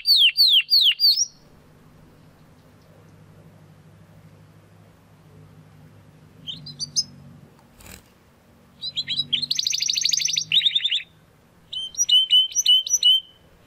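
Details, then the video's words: Young Spanish Timbrado canary, a gift to a friend, trying to find his full song: a burst of descending chirps, then quiet with a low hum, scattered notes and a fast rattling trill, ending in clipped whistles. "Canary Song - Spanish Timbrado Classico"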